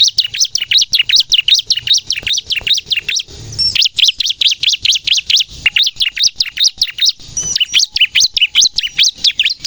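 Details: Bar-winged prinia in lively 'gacor nembak' style song, used to lure birds and prompt untrained captive birds to sing: rapid, high, sharp chirped notes in dense bursts, roughly 150 per minute, with one brief pause midway.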